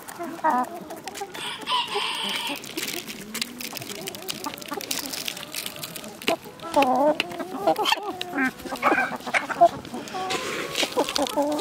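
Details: Village chickens in a calm rural soundscape, several birds clucking and murmuring in short rising notes, a few louder cackles toward the end, amid constant clatter and rustling.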